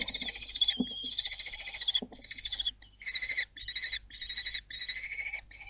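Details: Common kestrel family at Théding, France, on 26 June 2022, during the fledging season: loud drawn-out whining calls, harmonic and slightly wavering, given in bursts of about half a second to a second with short gaps.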